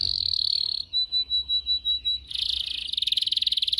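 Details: Canary song for training young canaries to sing: a rolling trill that runs steady, then a slower series of six evenly pulsed notes, then a fast buzzy trill that grows louder and quicker.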